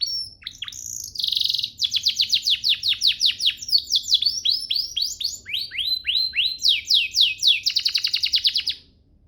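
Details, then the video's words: Master song of a canary, meant for training birds: a few quick slurs and a buzzy burst, then long runs of rapidly repeated descending chirps and a closing rattle-like roll. "Masteran Mewah Spesial agar burung kenari cepat GACOR"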